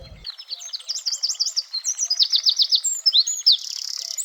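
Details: A male Eurasian wren in a small village near Abbeville, France, sings in the breeding season to lure females to his nest. The song is loud, high and rapid, with tumbling notes and quick trills, ending in a dry, buzzy rattle.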